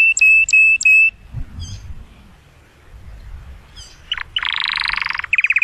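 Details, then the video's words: Excited canary song meant to stimulate a female for mating: three clear whistled notes, a pause, then dense buzzy rolling trills and a fast repeated chattering phrase. "كناري يغرد بصوت هائج لتحفيز الانثي لتزاوج"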